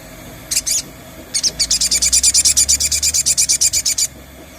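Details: Ngalas-style sogon (crested jay) lure sound: one high buzzy double note, then a long rapid rattle of around twenty-five even, harsh, shrill pulses lasting over two seconds.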